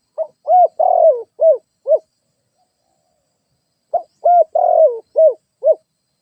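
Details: Spotted dove used as a lure bird delivers two identical cooing phrases about four seconds apart. Each phrase has five hollow notes with a drawn-out, slightly rasping, falling middle coo, followed by quieter short coos. There is no other sound.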